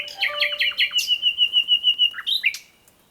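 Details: At night in woods in East Sussex, a Common Nightingale delivers a loud, rapid phrase: a few sharp chirps, then a long run of fast, pulsing whistled notes, about three per second, ending in quick upslurred chips.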